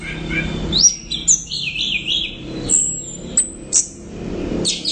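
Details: Lively, loud song of an orange-headed thrush: a tumbling mix of warbled mid-pitched phrases, very high thin whistles and sharp chips, broken by short pauses.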